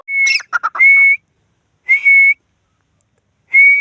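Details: Grey francolin (Dakhni teetar) calling: a loud, clear, high whistled note with a slight upward lift at the end. A burst of short chattering notes comes before it, and the note repeats after gaps of about a second.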